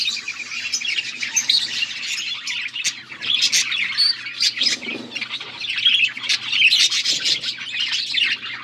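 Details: Budgerigar flock, August 14, 2024, giving continuous warbling chatter of clicks, squeaks and buzzy chirps, dense and overlapping throughout, with a soft low hum in the background.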